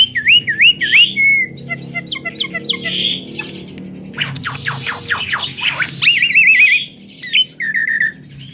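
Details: Javan myna mimicking, said to cough, laugh and imitate a guitar; a varied medley of wavering whistles, rapid clicking trills, harsh bursts and a series of descending rasping notes, with faint low hum beneath.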